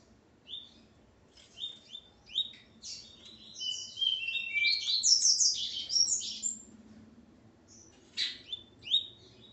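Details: Coleiro male, recorded alongside his female, gives scattered sharp chirps that build into a dense run of rising, tumbling high notes midway, then trails off into isolated clipped notes; a quiet indoor background.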